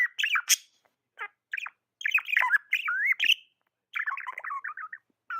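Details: Pet budgerigar chirping in near-continuous chatter: rapid warbling, squeaky notes rising and dipping, grouped in busy runs with a short pause near the middle and a clicking burst at the start.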